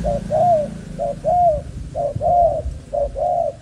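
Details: Captive spotted dove of a Malaysian line, young breeding bird: clear mellow cooing in four couplets, each a brief note then a longer rising-falling coo, about one pair a second, with a low hum behind.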